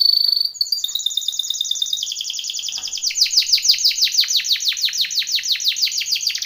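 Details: Timbrado canary training song: a high whistled note leading into a long, fast, evenly repeated trill of descending strokes that grows louder and continues throughout.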